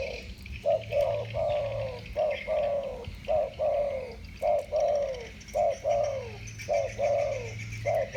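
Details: Spotted doves of the 'thổ bầu' voice type duel in a calling contest. Steady runs of mellow, slightly falling coos, often doubled, repeat almost once a second with a low hum underneath.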